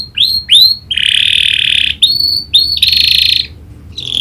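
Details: Canary trained with prinia clicking notes. Two quick rising slurred notes lead into broad buzzy rolls, followed by more rising whistles and another buzzy stretch.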